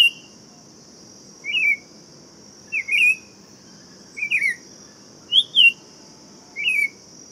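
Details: Buff-throated Saltator song: a series of quick twisting whistled phrases about every 1.2 seconds, each a doubled slur, over a constant thin high hum.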